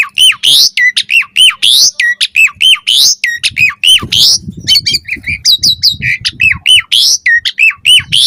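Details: Asian pied starling song, played to make other starlings answer and sing: quick looping whistles slurring down and up, mixed with harsh chirps and squawks, delivered in a dense, fast run with almost no pauses.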